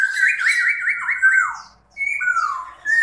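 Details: A Chinese hwamei, kept in a cage, sings with wings spread in display: a run of rapid wavering whistles, then a brief gap and long sweeping slurred notes that fall in pitch.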